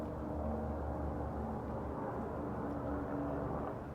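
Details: Continuous low rumbling like a passing vehicle or aircraft outdoors, with no quacking or other animal sounds.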